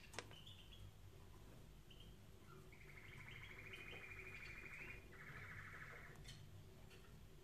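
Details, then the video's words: Canary song for training canaries: short whistled notes, then a long fast buzzy trill and a second rolling trill at high pitch, over a steady low background hum. "Canary Singing Video | The Best Canary Training sound"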